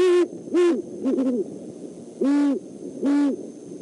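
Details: Overnight nest visit by a Great horned owl pair, male and female, at the Decorah eagle nest, December 17, 2014; five firm low hoots with a middle passage of overlapping hoots at two different pitches.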